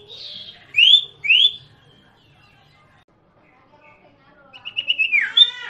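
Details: Common iora, locally called sirtu or cipoh, sings two clear upslurred whistles in quick succession. After a pause comes a rapid stuttering series of notes ending in a descending slur.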